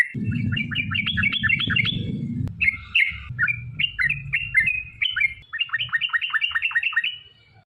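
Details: Yellow-vented bulbul in full long song, used to lure others into singing; quick burbling bursts of chirped notes in separate phrases, over low rumble at first, then quieter.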